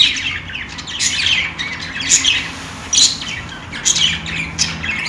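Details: Budgerigars at play: clipped scratchy chirps and sharp high tweets in loose, irregular bursts, about one a second, with a faint constant hum behind.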